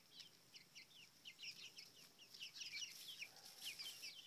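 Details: Seven-week-old chickens at the coop being fed mealworm and cricket treats: many soft, high peeping chirps overlap in a steady, busy stream, quiet against a low hum.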